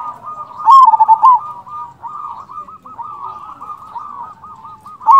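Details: Zebra dove of a local Indonesian strain, calling actively as a lure that makes other doves reply. A loud flurry of fast coos opens, a long stretch of softer rapid cooing runs on, and another loud call starts at the end.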